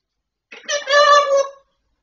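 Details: Grey parrot speaking indoors in a small room, a single short word-like utterance about one second long with a strong harmonic, voice-like tone and a sharp consonant onset, surrounded by silence.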